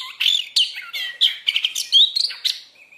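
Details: Oriental magpie-robin (kacer) singing energetically, in song used to train kept birds morning and evening; a fast run of varied chirps, slurred whistles and chattering notes, ending in a soft held whistle.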